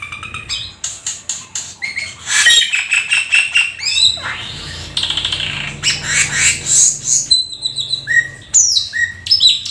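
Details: Black-winged starling delivering a busy, full song: rapid clicks and harsh chatter, a burst of broad raspy noise, then loud downslurred whistles and squeaky notes.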